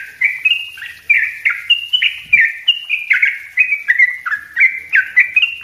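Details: Lively, tightly packed sooty-headed bulbul song for teaching other birds: a nonstop stream of short sliding whistles, many dropping then jumping back up, with a soft click near the middle.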